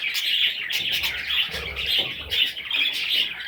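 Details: Young parrot chicks chattering continuously with rapid, raspy high chirps, several overlapping calls and a few short breaks, with low background rumble.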